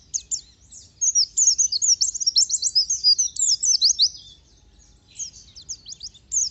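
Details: Oriental white-eye song, played to get other white-eyes singing, pouring out a fast, thin, high twittering song of jumbled chirps and trills, pausing briefly near the end before resuming.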